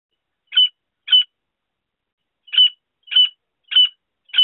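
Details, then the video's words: Francolin, possibly grey francolin, giving six short, harsh, grating notes about half a second apart with one longer pause, against silence; call used for hunting. "Francolin call sound voice"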